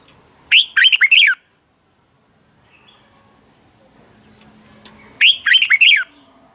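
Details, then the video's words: Red-whiskered bulbul in a morning contest song, played to stimulate trained birds. Two matching phrases of four or five swift, slurred, descending whistles are separated by roughly four seconds of near silence. "Luyện chào mào hót sáng hay Dùng để thúc bổi căng hót, ép giọng rất hay, chào mào hót đấu"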